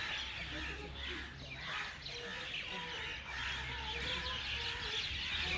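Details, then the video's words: Birds singing in a dense, steady chorus of high twittering and chirping notes, with a few lower whistled calls and a constant low hum underneath. "Birds in flight and singing"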